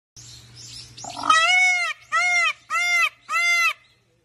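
A peacock gives four loud, nasal, wailing calls, the first long and the next three shorter and evenly spaced, after a brief rustling start.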